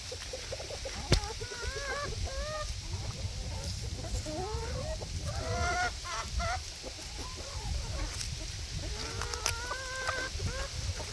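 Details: Barnyard chickens gossiping together: overlapping rising and falling clucks and drawn-out querulous notes come in loose clusters, with a sharp knock and a constant low rumble behind them.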